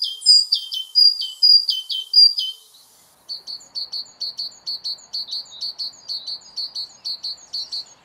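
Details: Great Tit song variations built on a basic syllable sequence, the species having as many as 240 recorded unique calls: first a slower series of clear two-note phrases falling in pitch, then a fast, even run of short bright notes repeated many times per second.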